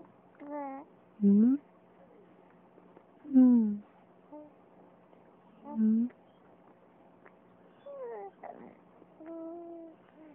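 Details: Seven-week-old female raven, kept as a pet, talking to her owner indoors: soft babbling and gurgling sounds at irregular intervals, some rising harmonic notes, with a steady low hum in the room.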